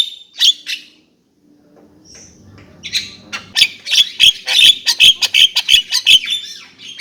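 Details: Javan myna starting with two sharp rasping notes, a quiet gap, then an accelerating run of loud, clipped, scratchy squawks roughly three per second.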